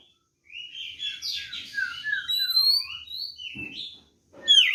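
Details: Oriental magpie-robin in fighting song, used to provoke rival birds into answering: a fast, varied run of sweet whistles, slurred notes and rising trills high in pitch, a brief pause, then a short rattly burst and sharp whistled phrase.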